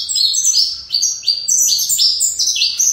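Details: Short burst of fibra-style singing from a captive-bred saffron finch, a quick series of bright, high notes each sliding downward, delivered in clustered runs.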